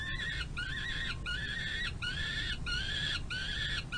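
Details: Young peregrine falcons on the runway of a nest box, 25 May 2022, while the adult female feeds one eyas. Loud, strained screeching calls in drawn-out bursts about every half second, over a constant low hum.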